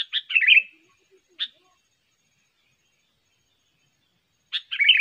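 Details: Sooty-headed bulbul singing for luring birds: a bubbly, descending phrase, a lone sharp note, a long silence, then another quick, rolling phrase.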